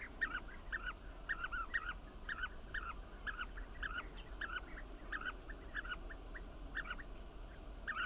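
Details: Several bee-eaters give short, rolling, liquid chirps in loose clusters throughout, while a steady high insect pulsing ticks along in the background.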